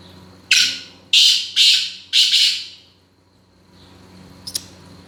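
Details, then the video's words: Male black francolin, locally called kala teetar, calling indoors: four loud, harsh, rasping notes over about two seconds, the last one doubled and stuttering. Then a pause and a short faint click. "black francolin kala teetar male making sounds"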